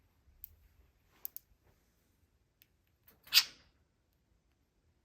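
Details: Indoors in a small room, a few sharp clicks and a short crunching burst sound, with no animal voice.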